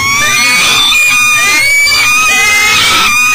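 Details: Peregrine falcon trying to bring breakfast into a nest box at an energy recovery station in Elk River, Minnesota, 7 a.m. Unbroken, loud, raspy wailing with slight wavering pitch throughout.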